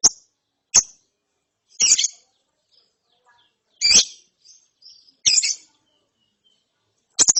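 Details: Lovebird chick after therapy: thin high chirps mixed with louder raspy, broad squeaky notes, delivered irregularly with gaps of one to two seconds.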